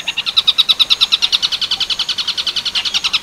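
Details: Long-tailed shrike delivering neken-style tengkek buto werkudoro song, recorded clearly for training other birds: a quick string of sharp, high notes at about nine per second, louder early on, then steadier and slightly softer.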